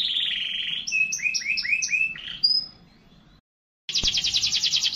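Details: Canary singing continuously: a short buzzy trill, then paired upward-stepping whistled notes repeated five times and a high flat whistle, a pause of silence, then a fast rolling trill starts with a click.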